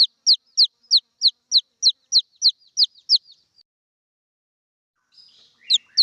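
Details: A red junglefowl chick calls its mother with about eleven quick descending peeps, then falls silent for two seconds before a soft smeared sound and two more peeps.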